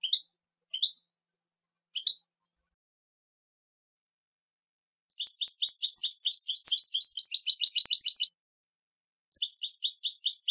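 A European goldfinch gives three short rising chirps, then bursts of rapid, tinkling, twittering song lasting about three seconds each. No other sounds.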